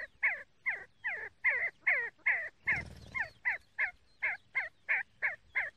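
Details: See-see partridge calling: a fast series of about fourteen short, clipped, two-toned whistled notes, each with a downward twist, roughly two and a half per second, with a brief low rumbling thump midway.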